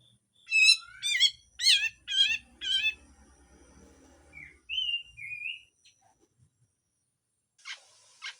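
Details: Grey-cheeked bulbul in harsh full song with rough notes: five loud, rasping, upswept notes about half a second apart, then a pair of slurred whistles and a short burst of noisy rasp at the end.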